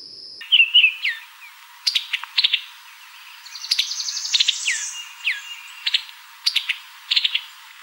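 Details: Brazilian tanager singing a series of sharp, high chips and short downslurred whistles, given in quick clusters, with a brief buzzy sweep in the middle.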